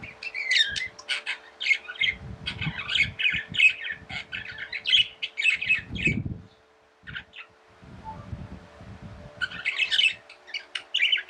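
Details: Pet budgies keep up a rapid, scratchy warble of high chirps that stops briefly midway and then starts again, with low thumping noise in the background.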